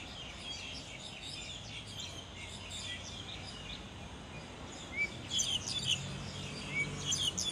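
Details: Black-collared starling singing while feeding: faint high twittering at first, then a louder late burst of sharp whistles and chattery notes in rapid succession, with a low hum underneath.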